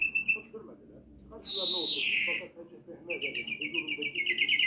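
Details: Flurya, the European greenfinch, sings a short trill and a clear whistle, then a loud falling wheeze, then a rapid rattling trill that runs to the end, over soft background chatter.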